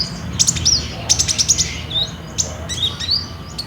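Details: Olive-backed sunbird singing vigorously, recorded on a Samsung J5 phone as a lure to get other birds to sing: sharp, very high, rapid chip series broken by short whistled down-slurs, lively and irregular.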